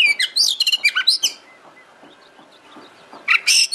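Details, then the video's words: Oriental magpie-robin (kacer) song used as a lure to make the bird sing and fan its tail: bursts of sharp whistled and chirping notes, a quiet gap, then a final burst of high notes. "Pancingan KACER agar GACOR dan EMOSI BUKA EKOR"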